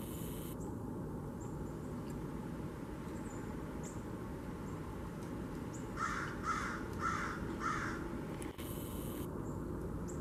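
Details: Rasping blue jay calls from a kitchen-garden bird feeder, 13 October 2021. One tight series of four harsh notes sits in the middle, and steady low rumble fills the background.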